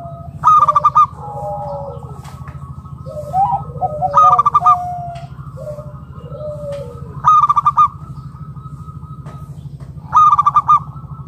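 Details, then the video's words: A local wild Zebra dove (perkutut) calling, used to lure other doves into song: short bursts of rapid, bubbling coo notes about every three seconds, softer warbled notes between, over a steady low hum. "Perkutut lokal gacor RAJA PIKAT Ahlinya Bikin Semua Burung Perkutut Gacor Nyaut"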